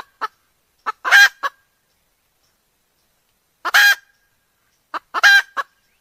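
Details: A red junglefowl hen, used as a decoy to lure wild cocks for trapping, gives short sharp clucks. Each run ends in a harsh, drawn-out squawk, three bursts in six seconds with silence between.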